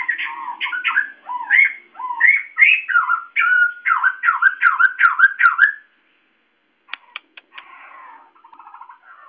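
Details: White-crested laughingthrush kept as a loud, boisterous cage bird, singing varied whistled notes then a fast series of repeated dipping whistles, followed by silence, a few clicks and soft chatter.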